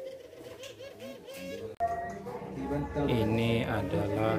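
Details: At a free-class puter pelung cooing contest in Situbondo, Indonesia, on 24 April 2022 with 40 posts, a Barbary dove gives soft, rounded, repeated low coos, soon drowned out by loud voices and music.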